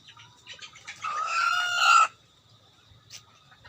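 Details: Decoy rooster calling: one rising, harmonic crow about a second long, preceded by faint clucks and soft chirps nearby.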